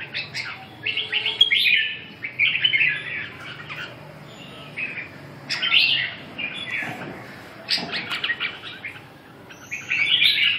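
A red-whiskered bulbul sings short, bubbling whistled phrases in quick bursts, with pauses between them.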